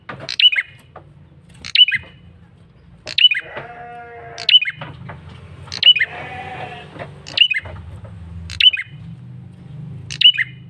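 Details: Male bar-winged prinia lure calling steadily: eight sharp, high, down-slurred chips at regular intervals of about a second and a half, with bleating, goat-like harmonic notes and low hum underneath.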